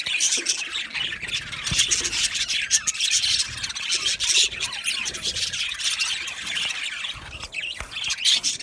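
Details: Flock of Australian budgies kept in an aviary chirps together: scratchy, twittering high chatter with occasional squeals, many voices overlapping into a steady, slightly rasping background.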